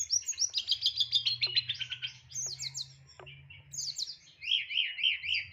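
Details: Caged white-rumped shama singing with complete fill notes: a fast trilled run of repeated chirps, then sharp notes and a rolling series of rising and falling whistles, over a faint low hum.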